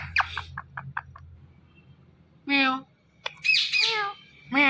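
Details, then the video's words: Indian ringneck parrot talking: a string of short clicks and chirps, then loud drawn-out harmonic voice-like calls and a high squealing note, near a person repeating words. "Ringneck Parrot Sounds Mithu Mithu"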